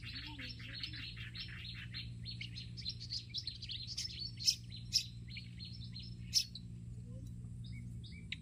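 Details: Olive-backed sunbird in a garden with a rapid, high twittering warble of jumbled thin notes, broken by a few louder sharp chips near the end, over a faint low background hum.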